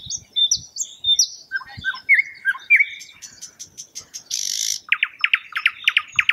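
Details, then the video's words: A thrush nightingale sings a loud, varied song: high whistles and sliding notes, then a harsh rasping burst and a fast run of hard, clicking chock notes. "Thrush Nightingale Bird Sound, Bird Song, Bird Call"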